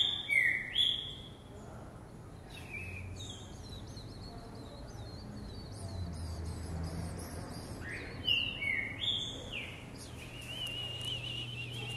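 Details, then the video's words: Caged green-winged saltator exercising in a jumping cage: loud whistled phrases at the start and again after eight seconds, with scattered fainter chirps and rumbling noise between them. "Trinca ferro Vigor no pulador"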